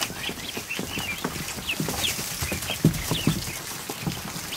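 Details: Afternoon in a barn with over a hundred newly hatched ducklings in a kiddie pool; scattered high peeps and chirps sound over steady water splashing and a few low thumps.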